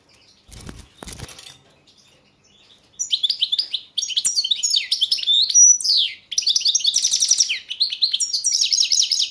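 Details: Goldfinch of subspecies Carduelis carduelis balcanica in a 2022 world goldfinch song competition recording from Serbia: a couple of rustling, fluttery thumps first, then continuous chattering song of bright twitters, buzzy trills and clear whistles.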